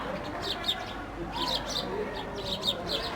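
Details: Sparrows playing and eating a loaf of bread, giving short bright chirps in quick clusters, several birds overlapping, with steady background noise throughout.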